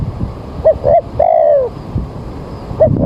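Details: Spotted dove call used to lure birds during trapping on an overcast early morning with rain approaching: a two-part opening coo then a drawn-out downslurred note, another phrase beginning at the end; faint rumbling background.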